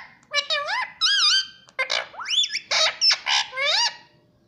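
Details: Green pet Indian ringneck parrot mimicking mummy and papa: a nonstop string of loud, harmonic, speech-like syllables, some curving up and down, with a few whistled swoops and hardly a pause.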